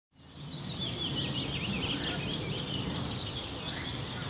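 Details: Sand martins at a busy nesting wall in Kattenbergsebroek, Landgoed de Baest, keep up an overlapping chatter of short, dry, buzzy twitters from many birds at once over a steady low rumble of wind.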